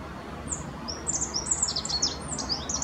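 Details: Rock bunting singing at Apolloweg, Valwig, in the Moselle valley of Germany, a fast string of very high, sharp, slurred notes running almost continuously, bright and thin over a soft background.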